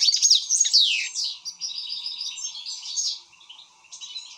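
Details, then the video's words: Agitated European goldfinch in rapid song: bright sweeping twitters and downslurred notes at first, fading into quieter chattering phrases, over a faint constant low hum. "حسون هائج"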